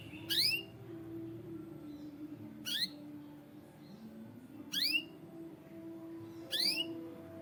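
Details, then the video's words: White canary uttering four sharp upward-sweeping chirps spaced about two seconds apart, with a steady low hum in the background. "White Canary Sound Effect"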